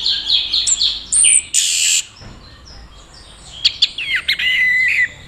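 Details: Orange-headed thrush from Mojokerto singing during a teler courtship display, with a young handler: high twittering phrases and sweeping whistles broken by loud broadband noise bursts, then sharp notes and a gliding whistle.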